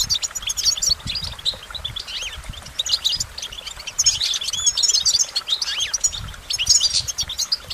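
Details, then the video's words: Twittering goldfinch song in clustered bursts of bright, high chirps and trills, with a few slurred rising notes between phrases and a soft low rumble underneath. "Goldfinch Motivation Performance"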